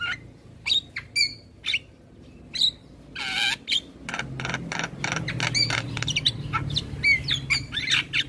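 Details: Male Javan myna singing full isian for training young birds; spaced sharp chirps, a raspy buzz, then quicker clicks and twisting whistles over a low background rumble.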